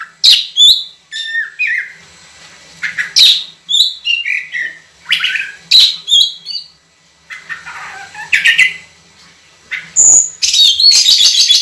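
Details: Oriental magpie-robin singing vigorously in long, clear 'tembakan' style: rapid, varied whistled notes and sweeping chirps in dense bursts, with brief pauses and a harsh buzzy passage near the end.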